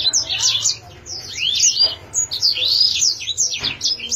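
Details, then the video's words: Canary in fine song, pouring out a continuous stream of high, quick twittering trills and sweeping chirps with little pause, bright and fast throughout. "chim yến siêu hay , yến hót hay 2020"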